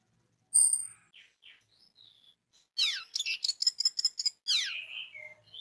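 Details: Orange-headed thrush song intended to make other orange-headed thrushes sing. After a few soft whistles comes a fast series of sharp, descending chirps and rattling notes, followed by a falling slur.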